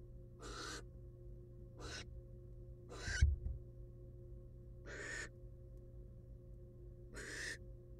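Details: A nest-box camera records a wild barn owl female returning to her eggs after eating a rat. She gives five rasping, noisy hisses at irregular intervals, with a dull thump near the middle and a constant low hum.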